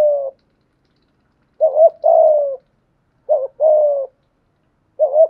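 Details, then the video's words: Decoy spotted dove with a 'giọng thổ' voice style, giving low cooing phrases: a short double-humped coo followed by a longer, level-to-falling coo, with phrases separated by pauses of over a second. The background is silent. "Chim Cu Mồi/ cu gay giong tho cuc dinh"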